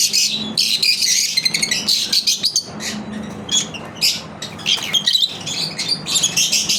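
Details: Lovebirds kept indoors during their daily routine, bursts of loud high chirps and raspy chatter, several birds overlapping, with short quiet gaps and a low indoor hum.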